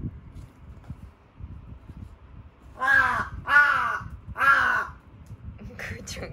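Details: Young rescued carrion crow whose voice is breaking, sounding almost like speech, recorded indoors 8 Sep 2020. It gives three long, hoarse, nasal caws of about a second each, wavering and childlike, with a faint human voice and background noise.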